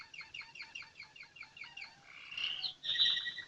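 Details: American Singer canary singing melodious song: a rapid series of repeated descending chirps, about ten in under two seconds, then a louder rolling trill and a bright sustained whistled phrase.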